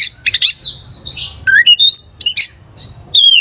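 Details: Oriental magpie-robin in full, vigorous song meant to provoke another magpie-robin into quick agitation: harsh buzzy bursts open, followed by clear whistled notes sliding up and down, ending in a long, slightly falling whistle.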